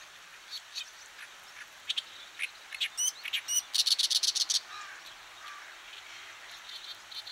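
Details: Oriental Reed Warbler recorded among birds of Japanese farmland, grassland and waterside: harsh, scratchy bursts mixed with a few tonal notes, building to a rapid chattering run of about eight clicky notes, then lower softer notes.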